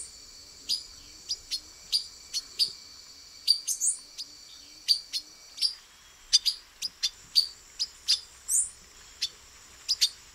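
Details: Male silver-beaked tanager, Brazil, camouflaged among branches, delivering steady sharp chink calls roughly every half second to second, with a couple of higher slurred notes and soft lower chirps from another bird early on, over a faint high hum.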